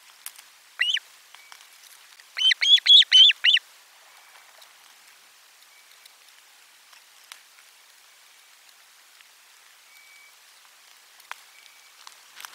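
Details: Lunchtime fish delivery at an Osprey nest, 12 July 2022: one early chirp, then a quick cluster of about five shrill, high whistled calls, followed by near silence with faint clicks.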